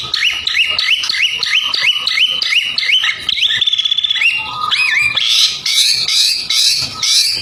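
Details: White-rumped shama in lively song, recorded as training material for other birds: a fast series of repeated short rising whistles, then loud, harsh, buzzy bursts repeated roughly every half second.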